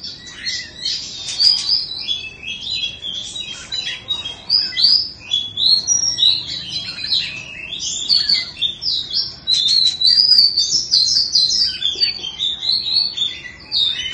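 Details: Indonesian Oriental magpie-robin in a cage, two seasons old, sings a fast continuous stream of high twittering notes and short whistles, densely packed and without pauses.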